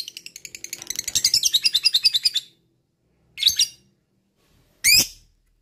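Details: Lovebird in a training recording meant to get other lovebirds to sing and do ngekek: a quick, rising run of chattering notes lasting about two seconds, then silence broken by two short, loud, separate squawks.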